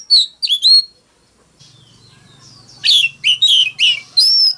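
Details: Oriental magpie-robin with a fighting song: a few sharp whistled notes, a pause with a low hum, then four scratchy rising-falling phrases and a final clear whistle.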